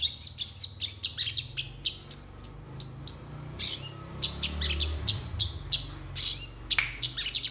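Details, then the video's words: In the morning, a crested jay gives a song rich in learned content (isian): rapid series of piercing high whistles and chips, several with a downward slur, tumbling in fast bursts with brief gaps, over faint low background hum. "Absen pagi SOGON ISIan"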